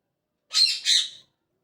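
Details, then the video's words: A parrot in the morning lets out two loud, raspy squawks back to back, then silence. "Parrot Chirping At Morning | Parrot Sound"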